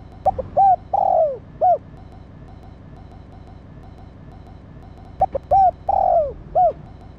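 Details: Female spotted dove calling to arouse a male: two separated phrases, each of clipped notes, a long downward-sliding coo and a final short arched coo, with a long quiet gap and low background noise between.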